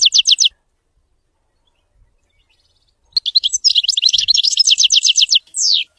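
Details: European goldfinch giving Widani-style song: a brief high trill, a pause, then a long, lively twitter of rapid metallic notes ending on a falling whistle.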